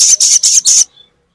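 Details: Crimson sunbird song used to stimulate a silent bird to sing: four rapid, very high, buzzy bursts of chattering notes in under a second, then quiet.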